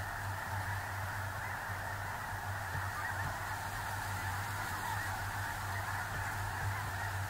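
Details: Large flock of snow geese on a small lake in central North Dakota in early November 2021: a dense, unbroken chorus of overlapping honking calls, with no single bird standing out, over a steady low hum.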